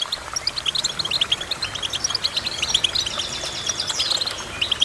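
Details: Goldfinch song given as a busy run of thin, sharp, high chirps. The chirps are closely packed and are joined by a few buzzy trilled phrases near the end, all over a light steady hiss.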